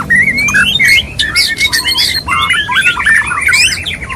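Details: Mating call of a male white-rumped shama wooing a female, opening with long rising whistles, followed by buzzy, chattering notes and more drawn-out whistled slides, delivered in a nearly continuous stream.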